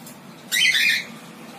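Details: A female cinnamon pet cockatiel, in her last days before dying in August 2019, gives one harsh, raspy squawk lasting about half a second.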